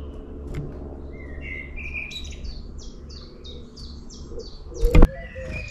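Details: Long-tailed tit in town, giving a rapid run of short, high, downslurred call notes after a few rising chirps, over a steady low hum with a loud thump near the end.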